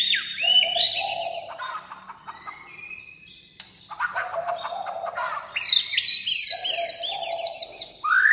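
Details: White-rumped shama delivering a rich, varied song of rapid high twittering runs mixed with lower mellow fluting notes, rising and falling, with a brief lull mid-way before a loud renewed burst.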